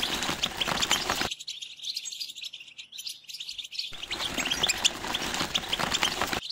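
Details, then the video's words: Goldfinch singing for mating, tbetba and stsesta song styles: fast, jumbled high chirps and liquid twitters pouring out continuously, with heavy background hiss that briefly clears in the middle. "بتبتة وستسستة الحسون لتزاوج"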